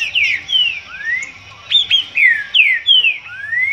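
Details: Disputing green-winged saltator delivering loud whistled song phrases, each a slurred note falling or rising, several in quick succession with short gaps, over a low background hum.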